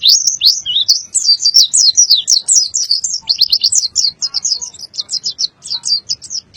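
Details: White-eye from Boyolali singing a full 'isian' song: a nonstop stream of rapid, high chirped notes, dense at first, then slightly more spaced, staccato twitters toward the end.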